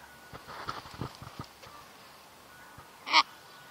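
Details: Sulphur-crested cockatoo letting out one short, loud, grating screech near the end, after a stretch of faint clicks and soft background calls.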